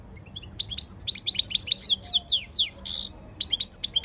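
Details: European goldfinch in song training, delivering a dense stream of bright twittering notes, slurred chirps and a brief harsh buzz.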